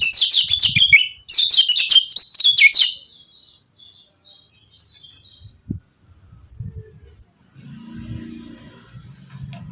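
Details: Yellow-vented bulbul calls in two quick loud bursts of harsh, high chattering notes, then falls quiet, leaving soft thumps and a low hum.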